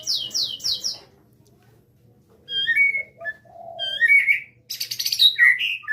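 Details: Wild white-rumped shama (murai batu) from Cipinang Muara: quick descending high notes, a pause, then varied whistled phrases around the middle of the range, ending in rich overlapping high trills and slurred whistles.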